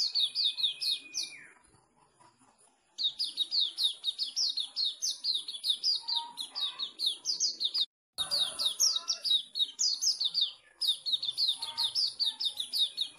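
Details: Sooty-headed bulbul from Pemalang, Indonesia, delivering energetic volleys of bright descending chirps, roughly three per second. The phrases are broken by short pauses and a long level whistle at the start.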